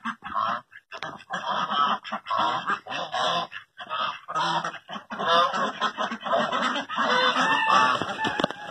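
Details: Helmeted guineafowl (Numida meleagris) in Pakistan give harsh, grating calls in rapid, overlapping bursts.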